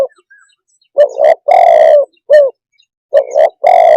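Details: Spotted dove giving two coo phrases, each two quick rising coos leading into a long mellow coo, separated by a short clipped note, with faint chirping in the background.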